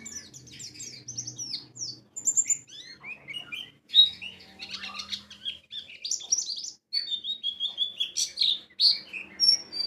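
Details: White-eye lure song meant to provoke open-beaked, wild ngalas singing: lively bursts of high twittering and whistled chirps, loud and varied, with brief pauses between phrases.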